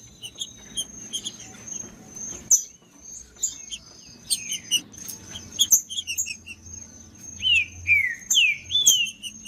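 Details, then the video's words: Green-winged saltator in the wild bush, a recording meant to excite caged birds: scattered short notes, then three clear downward-slurring whistles near the end, with a constant high-pitched insect drone and small chirps behind. "ESQUENTAR TRINCA FERRO RÁPIDO COM TRINCA FERRO NO MATO"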